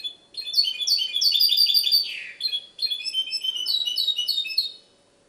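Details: High, fast twittering song from a goldfinch hybrid in Ksar el Kebir, Morocco: two bursts of bright warbled trills and tinkling notes with a slurred buzzy note between them and a short pause mid-clip.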